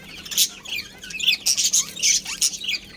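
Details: A breeding pair of budgies gives squawky, rasping high chirps and a few clear whistled notes in quick uneven bursts, some rising, with a low background hum.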